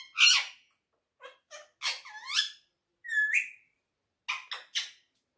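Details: A talking quaker parrot described as cute and friendly. It gives a loud squawky syllable, scattered short chatter, then a slurred rising whistle and three quick bursts in close succession.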